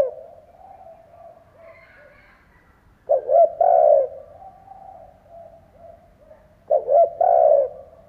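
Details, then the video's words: Decoy spotted dove cooing to rouse other doves: two strong phrases of stuttered notes ending in a long, falling coo, about three and a half seconds apart, with a fainter dove cooing steadily in between. "Chim cu gáy kích bổi , Cu gáy kích bổi mở là gáy"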